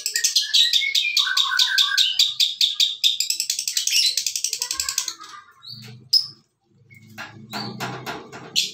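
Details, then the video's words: Lovebird giving a long "ngekek" chatter: a steady, rapid train of harsh, high notes, about two a second, lasting five seconds, then fading, followed by scattered short squeaks and a low background hum. "Suara lovebird ngekek panjang"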